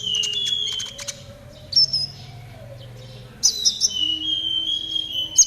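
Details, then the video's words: Konin singing trotol style as training audio for caged birds: short high chirps and long thin falling whistles in two bursts separated by a quieter pause, with a steady low hum underneath. "TERAPI KONIN TROTOL AGAR CEPAT BUNYI || MASTERAN KONIN TROTOL GACOR"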